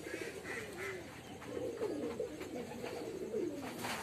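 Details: A domestic male pigeon kept at a house gives low, throaty cooing notes that swell and fall in soft repeated phrases.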